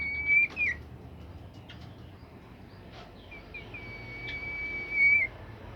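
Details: Bimoli bird song used to get other birds singing: a short bright whistle slurring down, a pause with scattered faint notes, then a long, even, pure whistle ending in a downward flick, over soft background hum.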